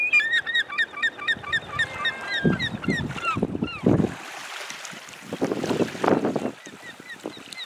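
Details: American black ducks feeding along the shoreline by Spring Point Lighthouse in South Portland, Maine; a rapid run of short hooked high calls repeated in the first half, with later faint calls, amid splashing and low surf or wind noise.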